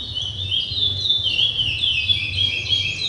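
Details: Short burst of chestnut-bellied seed finch song: fast, bright whistled notes sliding up and down in a continuous high warble, over a soft low hum.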